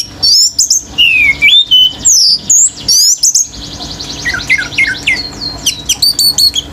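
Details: A male Orange-headed thrush in vigorous, sustained singing meant to set other birds off. A dense stream of varied whistled phrases runs throughout: swooping slurs, high squeaks and quick trilled notes, almost without pause.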